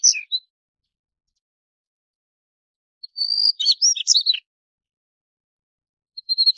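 Daurian Redstart giving high, thin whistled notes, then a brief burst of scratchy twittering, with another short whistle at the end. No other sounds.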